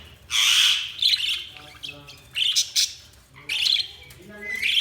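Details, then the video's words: Budgies chirp in short squawky bursts separated by brief pauses, several loud harsh notes, indoors with faint low background hum. "Budgies Sounds| Budgies Chirping sound"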